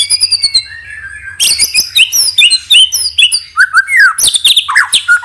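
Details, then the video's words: White-rumped shama lure song: a rapid run of repeated notes, then a rich, continuous stream of varied whistles, slurs and chips shifting through high and middle pitches. "LANGSUNG EMOSI DAN IKUT GACOR DENGAR PANCINGAN MURAI BATU NEMBAK ISIAN INI | SHAMA BIRD"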